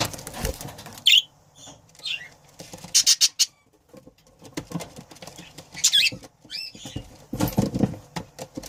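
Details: Breeding pair of budgerigars trading short, high, scratchy chirps separated by quiet gaps, roughly five bursts in total. Clicking and rustling fill the pauses.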